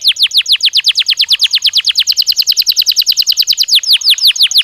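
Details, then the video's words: Natural singing of a Belgian canary: long rolling series of quick falling whistles, dense and rhythmic, briefly quickening into a tighter trill before returning to wider sweeping notes. "Som de 1 Hora com Canario Belga Cantando Naturalmente"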